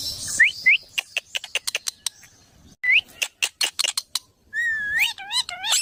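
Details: Parrot producing sharp rising whistles, then a fast series of dry clicks, ending in wavering, harmonic whistled calls.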